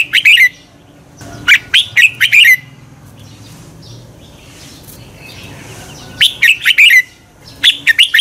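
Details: Red-whiskered bulbul morning song, double-twist voice, played to urge birds into contest singing: two quick whistled phrases, a quiet stretch of about three seconds, then two more phrases of rapid chirpy notes.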